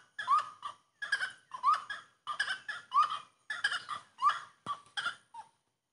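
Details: Grey-cowled wood rail (saracura três potes) song: loud, harsh, rhythmic notes repeated in pairs roughly every second, each a strained upslurred cackle with rich overtones, forming a steady chanting series over quiet background.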